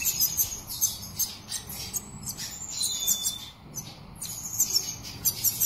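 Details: Caged black siskin delivering a fast, high-pitched twittering song, tightly packed chirps and buzzy trills running almost continuously, with one short gap midway.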